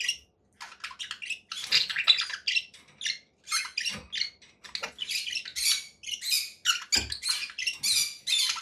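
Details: Dense, loud conure parakeet squawking and chattering, harsh overlapping bursts almost without pause, with low thumps now and then.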